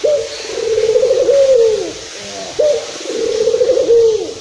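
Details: Local Barbary dove calling excitedly, a recording for luring other doves: a long rolling purr with a downward-sliding finish, then after a short gap a second matching coo.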